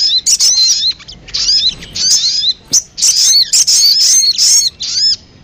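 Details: Sogon lure sound of high, sharp twittering chirps mixed with thin descending whistles. The notes come in irregular clusters with short silences between them.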